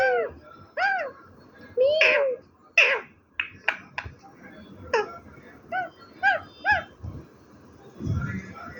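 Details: Talking parrot producing a string of arched, voice-like calls and short syllables at irregular intervals, with a low thump near the end and faint room noise.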